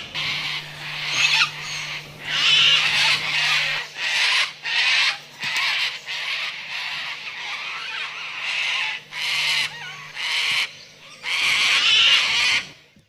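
Triton cockatoos give harsh, raspy screeches in bursts of about a second, roughly a dozen in quick succession, over a faint steady low hum.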